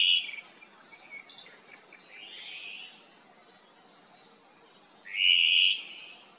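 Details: ʻŌmaʻo, or Hawaiian thrush, calling to its cohorts along the Kaulana Manu Nature Trail on the Island of Hawaiʻi: a few raspy, smeared notes, then a louder harsh buzzy call near the end, with faint background forest noise.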